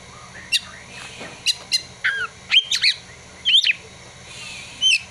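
Oriental magpie-robin singing sharp, high chips and quick slurred whistles in short bursts, with mimicked prinia and sunbird notes mixed in.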